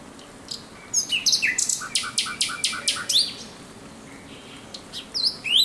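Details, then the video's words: Night song of a thrush nightingale, recorded 17 May 2023: loud dry clicking strokes in rapid rhythm with lower knocking notes beneath, followed by a pause and then rising whistled phrases. "Śpiew słowika rdzawego nocą."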